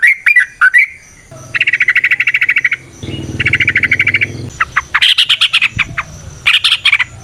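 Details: Yellow-vented bulbul (trucukan) in long rapid song used as a training lure: a few sharp calls, then two long fast rattling trills, followed by bursts of high jumbled notes.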